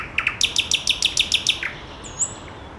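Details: Nightingale song phrase: two short notes open a rapid, even run of about eight loud ringing notes. A pause follows, then one thin high whistle.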